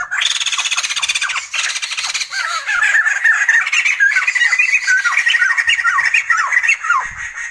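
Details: Continuous laughing chatter from Sumatran laughingthrush, rapid harsh rattling at first, then a run of repeated slurred squawking notes about four per second.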